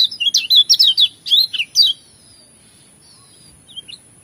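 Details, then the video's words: Lemon-bellied white-eye from Lombok singing a burst of quick slurred chirps and short whistles for about two seconds, then near silence with a few faint notes; a steady high tone persists. "Jos full variasi isian paling merdu"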